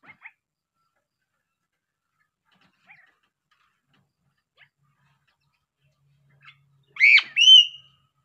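Sulawesi crow: a few faint ticks, then one loud call near the end, a nasal upswept note followed by a clear, level, piping whistle.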